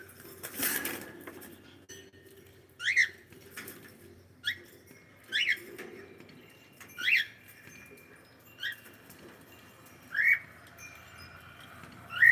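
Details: Pet cockatiel heard indoors: short, sharp upward-chirped calls repeated about every one to two seconds, each a brief rising squeak, with a faint rustle near the start and quiet background between calls.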